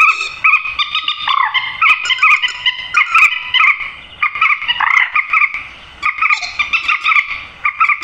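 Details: Grey-headed swamphen calling, a lure sound for netting birds at night: a dense run of loud, honking, harmonic squeals, repeated irregularly about every second or two, some notes bending upward.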